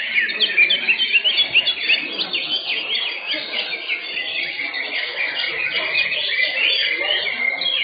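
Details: Greater green leafbirds competing in a songbird contest class in Indonesia on 10 September 2023: a dense overlapping chorus of sharp whistled and chattering phrases, rapid slurred notes tumbling over one another with no pauses, faint human voices underneath.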